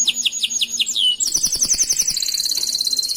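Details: Master canary song meant to teach other canaries, made of descending whistled notes repeated about five times, then a slide into a dense, very high rapid trill with faint clicking underneath.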